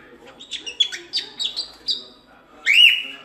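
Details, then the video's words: Cockatiel singing for teaching a cockatiel to sing: a series of short separate chirped whistles, then a pause and one louder rising-falling whistled note. "Canto de Calopsita 🐦 Ensinando Calopsita Cantar"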